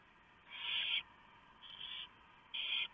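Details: Barn owls at a nest at 3:59 AM on November 3, 2015, as the male delivers a huge mouse and the female shreds it for the owlets: three harsh, breathy hissing bursts, each under half a second, over a quiet hiss of background.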